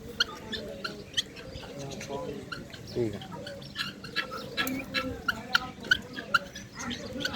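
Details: Farmed guineafowl give harsh, raspy, irregular calls in sharp bursts amid farmyard clucking. Guineafowl.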